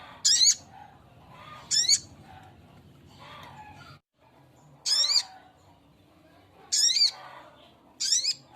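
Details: Calling to attract a female, a male sogok ontong repeats short grating screeches with a ringing upward sweep, five notes spaced unevenly about one to two seconds apart, with a brief dropout of background noise.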